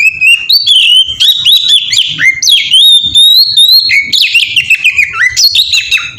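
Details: Ngeplong-style song of an Oriental magpie-robin, used as a lure to make other magpie-robins sing; loud continuous whistled phrases with rising and falling slides and clipped chips, evenly energetic throughout.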